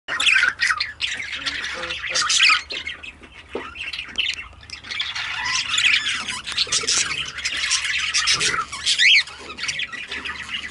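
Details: Pet budgerigars, two females, chattering together indoors: dense harsh squawks and warbled chatter, mostly high-pitched, continuous with brief dips and a clear rising whistle near the end; a faint low hum throughout.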